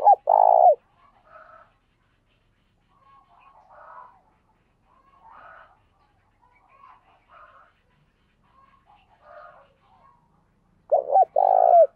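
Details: Spotted dove used as a decoy, cooing in the 'gáy sung' style during decoy training: a loud low coo phrase opens, softer murmuring notes follow at intervals, and another loud coo phrase sounds near the end.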